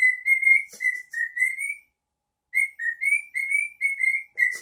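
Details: Pet cockatiel whistles clear, tuneful phrases of sliding notes, pauses briefly, then repeats the melody.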